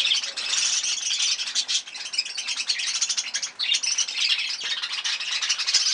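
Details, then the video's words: Kept breeding budgies producing an unbroken, busy wash of high scratchy warbling and chirping from several birds at once. "breeding budgies parrot"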